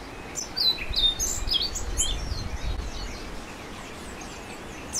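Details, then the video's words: An orange-billed nightingale-thrush sings a brief, scratchy run of high, thin notes near the start, then only faint fragments against constant low rumble and hiss. "Orange billed Nightingale Thrush Singing"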